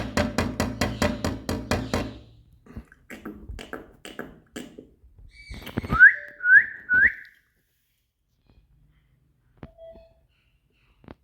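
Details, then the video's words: Green Indian ringneck parakeet, kept indoors, talking: rapid harsh raspy syllable bursts in a chattering string, then three rising whistled notes, a few faint clicks and a brief thin whistle near the end. "Parrot Talk"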